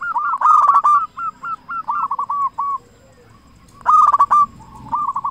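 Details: Frequently singing local zebra dove, loud voice, meant to stimulate other zebra doves to sing: loud rippling coo phrases followed by strings of shorter even notes, the pattern starting again after a brief pause.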